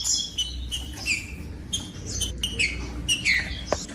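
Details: A green-winged saltator gives whistled song, meant to warm up silent birds of its kind: short clear notes in quick bursts with a couple of downslurred phrases, over faint background noise.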